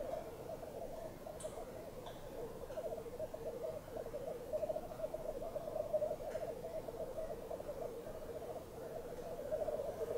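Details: Lekking blackcocks, at least five or six males, on a bog at dawn in frost, sunshine and still air at -6 °C: an unbroken, dense, rolling bubbling chorus of Black Grouse, steady throughout, with a few faint clicks.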